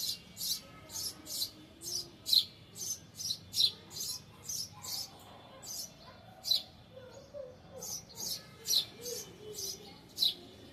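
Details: Bird on a balcony grill, where it spends the whole day chirping; rapid high, bright chirps repeated in a steady stream, over twenty notes, with a brief pause in the middle and a soft low background hum.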